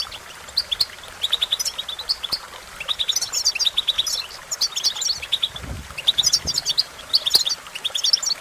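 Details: European goldfinch song used in training: fast tinkling, twittering high notes and short trills in a continuous chattering flow, with a faint background hiss.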